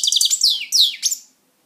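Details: A short phrase from a pet European goldfinch: a few rapid tinkling chirps running into slurred, descending twittered notes, ending abruptly in silence.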